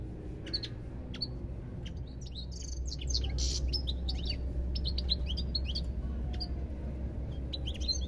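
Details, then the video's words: European goldfinch pouring out a continuous, fast twitter of thin high notes and short trills, with a brief raspy buzz near the middle and a rumbling low hum throughout. "ربع ساعة من تغريد طائر الحسون"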